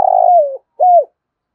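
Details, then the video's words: Spotted dove, thúc gù cooing: a long buzzy coo that sinks in pitch toward its end, followed by one short arched coo, then silence. "cu gáy thúc gù"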